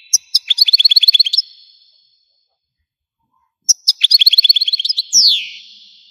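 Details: Algerian goldfinch song in two phrases, each a string of fast, tinkling repeated notes. The second phrase finishes with a falling, buzzy slur, separated from the first by a long silent pause.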